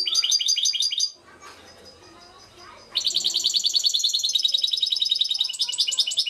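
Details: Trnan or goldfinch song recorded in Šuto Orizari: a jingling twitter burst, a lull with low murmuring background, then a long unbroken sequence of rapid, high, liquid chirps.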